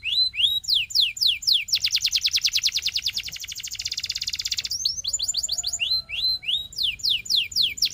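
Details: A Belgian canary sings loud, rapid rolling phrases of high sweet notes, first quick rising slurs, then a fast even trill, then more chirping slurs.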